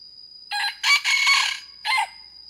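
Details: Red junglefowl hen calling the rooster, a lure recording from Vietnam: a loud, harsh three-part call with a short opening note, a long raspy middle phrase, then a brief final note, over a steady high-pitched whine.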